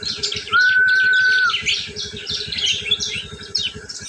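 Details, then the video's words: Prinia giving the ngriwik call, used as a lure for prinias: dense, rapid, scratchy chirps high in pitch run throughout. A steady, even whistled tone sounds for about a second near the start, over a fast, regular low ticking. "suara burung prnjak ngriwik"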